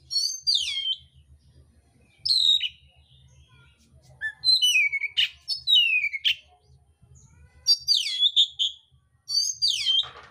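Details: Mintal oriental magpie-robin singing a fighting song with harsh fill-in notes. High phrases sweep downward in varied bursts spaced by silences, accompanied by a steady faint low ticking.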